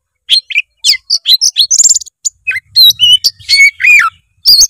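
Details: Oriental magpie-robin singing fully, a lure meant to rouse a lazy bird: a rapid run of varied high whistles, trills and slurred notes, some falling, with brief buzzy elements.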